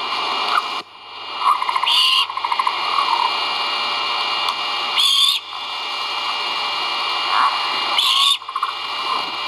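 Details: Great horned owl nestlings vocalizing as food arrives at a live-camera nest, dated 1.04.2022: three rasping, hissy screeches roughly every three seconds, with a few softer low notes between, over steady background hiss.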